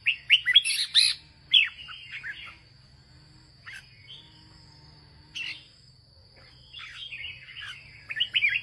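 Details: Red-whiskered bulbul belonging to a farmer, northern ché style: a lively cluster of sharp chirps and slurred whistles opens, a long near-quiet stretch with isolated notes follows, then warbled phrases resume, over a steady faint high whine.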